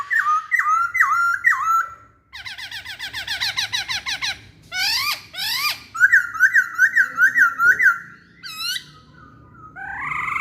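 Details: Masked laughingthrush song: loud, varied phrases of squeaky whistled notes, a fast run of descending chirps, then a series of evenly spaced rising-falling whistles at about five per second, ending in short upslurs.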